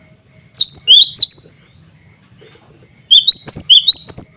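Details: A male cinereous tit sings to call rivals and females. A trio of sharp high notes, a pause of nearly two seconds, then a faster run of about six ringing notes.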